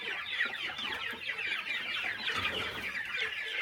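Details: Morning feeding of chickens on a small countryside farm; a thick, even chorus of quick high clucks and chirps from many birds, unbroken throughout.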